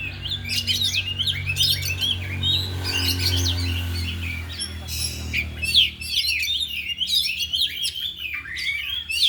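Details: Oriental magpie-robins, four caged birds in afternoon training, all singing and showing off isian phrases. Rapid, jumpy whistled notes and chattering trills run continuously, with a loud low droning noise in the first half.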